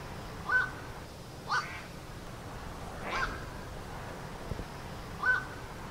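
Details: Black-crowned night heron captured with a Zoom H1n handheld recorder: four abrupt, throaty croaks spaced about one to two seconds apart, each a brief rough bark, with faint ambient hiss between them.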